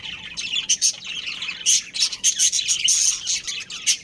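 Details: Budgerigars, a breeding pair kept in a colony, chattering: dense high warbled chirps and squawks in bursts, nearly continuous, with short scratchy notes between.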